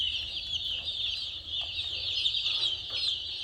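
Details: Brief stretch of many chicks peeping at once, thin high chirps blending into a constant shrill wash, with a soft low background hum.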